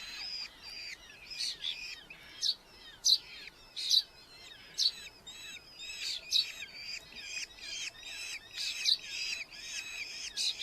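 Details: Red-footed falcon chicks in a Hungarian colony nest box, July 2025, heard fainter: harsh, high bursts repeated about every second in a steady rhythm over low background hiss.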